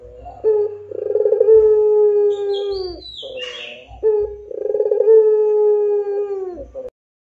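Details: Puter pelung Barbary dove in full voice, giving two drawn-out coos, each starting with a quick throbbing stutter, then settling into a smooth, low, sustained tone that slowly sinks at the end.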